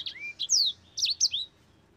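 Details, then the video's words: Brief burst of Mozambique canary song for tutoring other birds, a few bright downward-sweeping whistles and a rising note, quick and high, ending in quiet. "SANGER GACOR ISTIMEWA"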